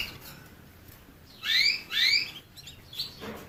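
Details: Two quick rising whistles from a canary, back to back near the middle, followed by a short flat chirp and a lower buzzy note, otherwise quiet with light hiss.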